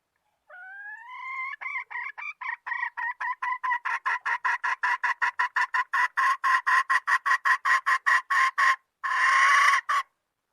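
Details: Hen cackling, recorded in 2020: a drawn-out rising note opens, followed by a long run of short, evenly spaced clucks at about two or three per second, ending in a louder, harsher squawk.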